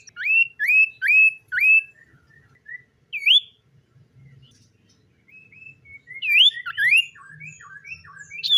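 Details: Common iora in the morning giving a series of sharp rising whistles at a steady pace, then isolated whistles and a livelier closing burst of upslurred notes and twittering, with a soft hum beneath.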